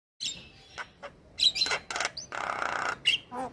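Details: Male white-eyed Javan myna singing, used as bait to stir lazy mynas into song: harsh squawky bursts and noisy rasping notes mixed with short high whistles, ending in a long scratchy chatter followed by a sharp whistled note.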